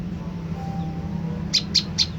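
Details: Olive-backed tailorbird call used as a lure for a reply: a quiet stretch with a faint low hum, then four loud, sharp high chips at the end, evenly spaced.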